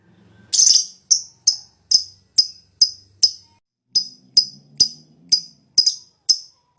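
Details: Fighter lovebird in high breeding condition, lure song with long ngetik ngekek: a long rapid series of sharp chirps repeated about twice per second, steady and ringing, with faint low background hum.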